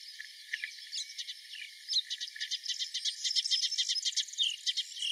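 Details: Melodious warbler singing at Mila on 4 May 2021: after faint scattered notes, a fast chattering run of short high notes builds from about two seconds, growing louder and denser toward the end, over a steady hiss.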